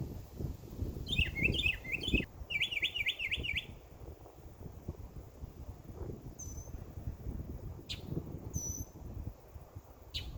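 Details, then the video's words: Wild birds in a backyard in summer: a burst of rapid, rising-and-falling chirped trills for about two and a half seconds, then scattered thin whistles and sharp clicks over a steady low background rumble. "Birds Chirping Sound"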